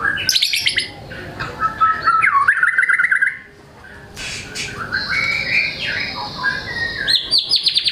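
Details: White-rumped shama singing hard and unloading its learned material, used to trigger silent shamas: rapid buzzy trills and rattling phrases, a short lull, then rising whistles and more high trills.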